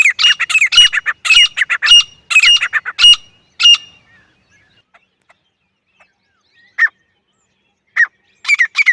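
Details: Grey francolin, called teetar, a female voice used as a hunting call in jungle and village countryside: loud, harsh, rapid squawking notes in quick bursts for about four seconds, a pause, then shorter scattered call bursts resuming near the end.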